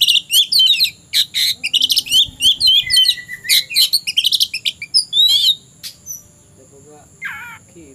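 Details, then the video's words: Oriental magpie-robin singing in the late afternoon, said to be ready to fight a rival: a fast, loud string of high, sharp twittering notes and trills lasting about five seconds, then quieter, with one short buzzy phrase. "KACER SIAP TARUNG CARI LAWAN..!!!"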